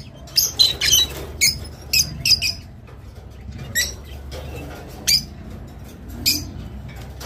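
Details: Rosy-faced lovebird giving sparse, high squeaky chirps, single or paired, spaced every second or so, in a recording used to encourage mating; faint low background hum.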